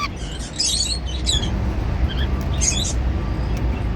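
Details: Cockatiels eating seeds give harsh, buzzy chirp bursts, two close together near the start and another pair later, with a faint thin tone and low hum behind.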